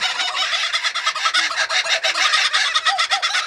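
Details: Kookaburra pair in captivity, just introduced for breeding. Loud, raucous chattering bursts follow one another in quick succession, rough and broadband, forming a continuous rollicking laugh.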